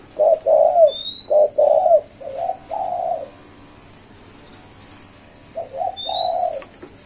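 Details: Five-note cooing of a spotted dove, locally voiced "cục... cu cu...cu ...cu": soft, hollow low coos in a phrase of several notes, a pause of about three seconds, then the phrase resumes; thin rising whistles from another bird overhead.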